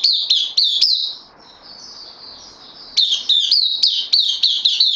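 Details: Caged bulbul, a newcomer on loan, 12 September 2020. A brisk burst of bright chirps, a soft trailing warble, then a further lively run of sharp, repeated up-flicked notes.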